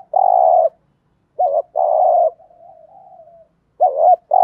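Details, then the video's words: Spotted dove calling to lure wild doves: a long steady coo, then a wavering note and another sustained coo, a stretch of soft murmuring, and a further wavering note with a coo starting. "cu gáy kích bổi nhanh nổi và hiệu quả, tiếng chim cu cườm gáy thúc gù bài bản/ cu đất gù đấu"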